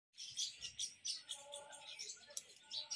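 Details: House sparrows in hot weather, a group chattering together: dense, overlapping high chirps and tweets repeated rapidly in bursts for the full three seconds, with short breaks, and no other clear sounds.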